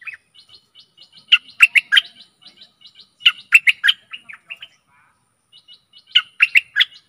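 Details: Stripe-throated bulbul song used as a lure for fierce wild birds. Thin whistled notes lead into three bursts of loud, liquid, bubbling phrases, each about two seconds apart.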